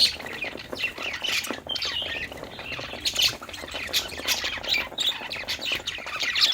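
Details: Playing budgerigars keep up a lively stream of raspy squawks and short whistled chirps, several voices overlapping, with a few louder peaks near the middle and end.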